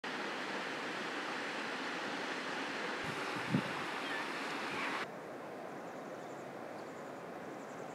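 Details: Broad hiss of wind or surf with a soft thump midway, the level dropping suddenly after a few seconds to a quieter steady hush.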